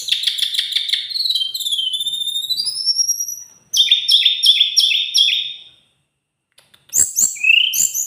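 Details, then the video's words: Lark singing strongly: a dense chattering trill, then upward-sliding whistles, a stuttering series of sharp high pulses, silence with faint clicks, and a final rising whistled phrase. "Teledekan gunung gacor super istimewa"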